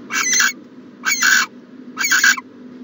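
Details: Owl at a nest box in the morning, January 2020, giving three coarse, broad screeches about a second apart, each roughly half a second long, over a steady low hum.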